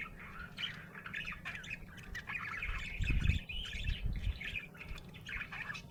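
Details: Budgerigar in a happy mood, chattering with rapid scratchy chirps and warbles throughout, plus a dull low thump near the middle against faint room hum.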